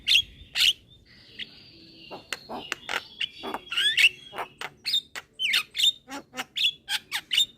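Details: Young Javan myna singing with head-nodding. A couple of sharp whistles, a quiet drawn-out tone, then steadily louder, evenly spaced clicks and short whistled notes in a quickening series.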